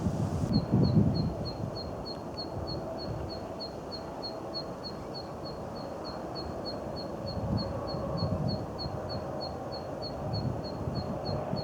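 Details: Zitting cisticola (Cisticola juncidis) on a riverbank, where it calls actively while flying around, repeats a sharp, high 'zit' note about three times a second over low wind or traffic rumble. It uses two call types, likened to drumstick hits and an old bicycle brake.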